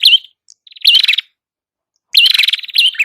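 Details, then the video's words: Red-headed prinia song meant for luring birds: three separate buzzy, rattling phrases, each opening with a sharp rising chirp, divided by clear silent gaps. "Masteran burung prenjak kepala merah Gacor"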